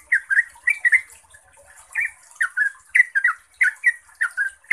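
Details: Lure song of a yellow-vented bulbul, a long clear rapid phrase meant to spur kept bulbuls into song. Short liquid chirps rise and fall in loose pairs and triplets, with brief gaps, over a faint high background hiss.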